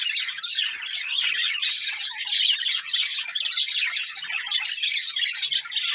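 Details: Breeding pair of colourful budgerigars chattering nonstop, a busy stream of high warbled chirps and squawks with no pauses throughout.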